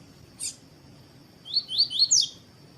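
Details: Captive male double-collared seedeater singing the tui tui song style beside a female to warm him up for song tournaments. A single sharp chip, then four rising slurred whistles ending in a higher buzzy flourish, over a steady faint high hum.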